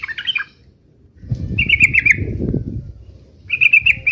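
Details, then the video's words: Short, liquid, warbled phrases from a yellow-vented bulbul in uplik-uplik fighting style. Three brief bursts are separated by gaps, with a low rumbling noise between them. "trucukan gacor UPLIK UPLIK TARUNG MENJADIKAN agar burung trucuk gacor NYAUT SEKETIKA"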